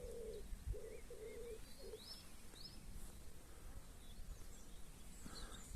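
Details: Birds at a campsite in Doncaster, Yorkshire, UK, on a rainy evening around quarter to ten: four soft, low, dove-like coos in the first two seconds, then faint thin chirps over a steady low background rumble.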